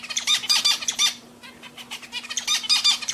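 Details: Pet zebra finches in song: rapid clusters of harsh, nasal, harmonic-laden syllables, pausing briefly mid-clip before resuming, with a steady low electrical hum throughout.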